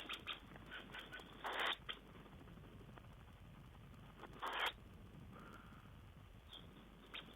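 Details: Tawny owl recorded 5 June 2010, uttering two loud, drawn-out hissing screeches about three seconds apart, with weaker scratchy sounds and steady background static.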